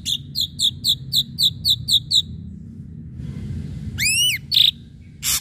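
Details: Ashy drongo singing actively, a sharp-noted lure recording: a run of about nine short, high, down-slurred whistles at roughly four per second, then a faint hum, a pair of rising swept notes, a clear whistle and a harsh burst.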